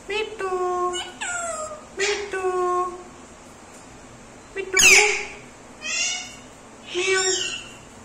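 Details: Pet Indian ringneck parakeet speaking and mimicking a cat's meow; a string of harmonic voiced words with falling pitch, one harsh noisy burst, then two shorter calls, light music behind.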